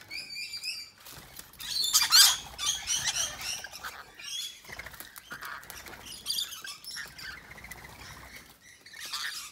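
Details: Rainbow and scaly-breasted lorikeets gathered to feed in the afternoon: harsh, screechy chatter and shrill squeaks in overlapping bursts, with loud wing flapping and fluttering as birds come and go.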